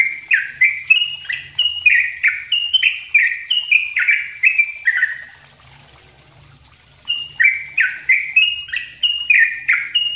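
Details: Dense chattering song of a sooty-headed bulbul, kept as a master song for teaching other birds: quick phrases of downward-slurred whistled notes, steady and loud, broken by a pause of about a second before the run resumes.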